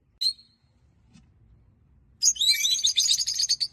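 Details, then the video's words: Small flock of rosy-faced lovebirds, one bright olive, one pale olive and three lutino. A single sharp chirp is followed by a pause, then a dense burst of shrill, rapid, twittering chatter. "LOVEBIRDS SINGING AND CHIRPING SOUNDS"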